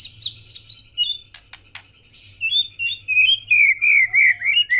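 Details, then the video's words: Murai (white-rumped shama) in gacor song, mixing high chirps and harsh clicks with a run of loud, sweet whistled phrases that wander downward. "BURUNG MURAI GACOR"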